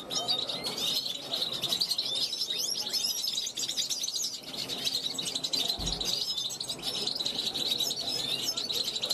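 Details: Young European goldfinch from 2021 on a balcony, calling out to passing wild goldfinches: a steady stream of bright, high chirps and rapid trilled notes, continuous and busy, with a brief low thump midway.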